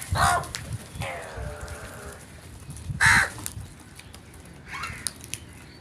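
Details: Morning crow giving three hoarse, grating caws, the middle one loudest. A longer, drawn-out tonal call from another animal fills the gap between the first two. Low background rumble throughout.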